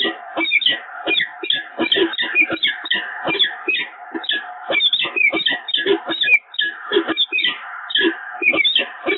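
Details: At the Evoluon nest on 7 March 2022, a peregrine falcon pair bonding again. Long, dense series of harsh, scratchy notes run almost without a break, uneven in rhythm, over a steady low hum.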